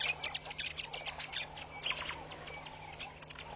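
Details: Hundreds of wild red-billed quelea fluttering around a bush at Pete's Pond, Mashatu Game Reserve, Botswana, on August 9, 2013; dense, overlapping high chirps and twitters in a busy chatter, over a steady low hum.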